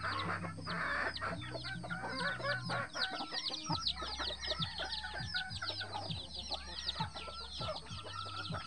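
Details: Mother hen leading eleven free-range chicks around the bushes. Many rapid, high, sharply falling peeps pour out nonstop over about forty irregular low clucks a minute, with a brief low hum early on.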